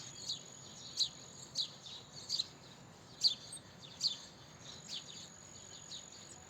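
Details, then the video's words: House sparrow chirping: short, bright, high chirps given singly at irregular intervals of about half a second to a second, over a soft steady background hiss. "Chirping Sparrow Call - House Sparrow Call - House Sparrow Sound - Sparrow Chirping Sound"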